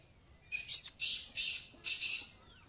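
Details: Female black francolin giving four harsh, hissing bursts in quick succession, each rasping and noisy, over a quiet background with faint chirps.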